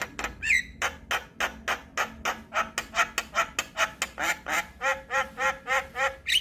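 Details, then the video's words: Javan myna song used to lure and train mynas: a steady stream of rhythmic, harsh, slightly nasal notes about three per second, with a couple of bright rising whistles mixed in. "PAncingan Dan Masteran Jalak Kebo Buat Semua Jenis Burung Jalak"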